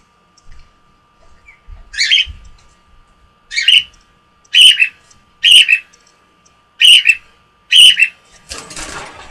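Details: Gray male cockatiel, kept as a pet for about 16 to 17 years, squawking loudly when his owner leaves his sight, from attachment; six harsh, high, bursting squawks roughly one second apart, then a burst of broadband noise at the end.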